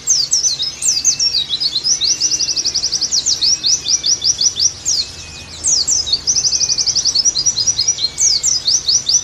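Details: Oriental white-eye song used as tutor audio to make the bird sing actively again: fast, high chirpy phrases with rapid buzzy trills of repeated notes, broken by short pauses, over faint lower rising whistles.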